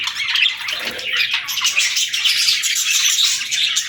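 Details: Several pet budgerigars keep up a steady, rapid chatter of squeaky chirps, clicks and thin whistled notes, with one soft low bump early on.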